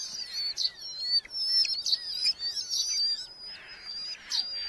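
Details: Red-footed falcon chicks at a Hungarian colony nest box, July 2025, while parents bring beetles; high wavering whistles with sharp squeaky accents, a few lower downslurred notes and soft rustling behind.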